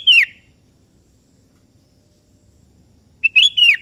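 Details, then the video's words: Sooty-headed bulbul, in active song, calling a rival that joins in. The clip opens on the falling tail of a whistled phrase. After three seconds of quiet comes a full phrase of crisp lead notes and a melodious descending slur. "Suara Merdu Burung Kutilang KEBO Gacor Memanggil Lawan Ikutan Bunyi"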